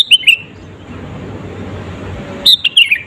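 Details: Sooty-headed bulbul in lively 'gacor' lure song meant to provoke rival birds: two bursts of short, loud, falling whistled notes, one at the start and one near the end, separated by quiet background hiss.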